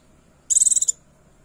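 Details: Female Oriental white-eye calling to attract a male: a very high, rapid trill of about eight even pulses lasting under half a second, against a quiet background.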